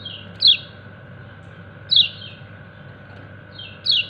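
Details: Three loud, high 'ciak' notes sliding steeply downward, spaced about 1.7 seconds apart. A white-eye (kecial kuning) is calling its companions over a faint steady background hum.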